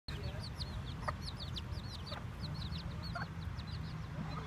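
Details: One-week-old chicks give many high, thin peeps, most sliding downward and tumbling over one another in a busy chorus, with a steady low hum underneath throughout.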